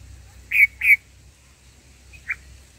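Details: Black-headed bulbul feeding its young in the nest: two loud, buzzy notes in quick succession, then after a pause a short, softer note.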